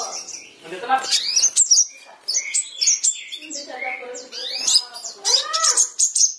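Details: Sooty-headed bulbul singing energetically to provoke a silent one: quick high chips and slurred upward whistles, mixed with lower arched, harmonic warbles.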